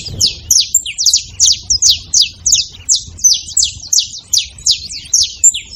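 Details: Saffron finch at a feeder giving a steady series of sharp, high, downward-sweeping chirps, about three per second, over faint low background rumble.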